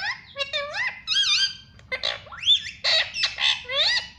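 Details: Green rose-ringed parakeet kept as a pet, talking "mummy" and "papa": quick strings of raspy, bending syllables, then louder sweeping squawk-like words in steady succession, over a faint low room hum.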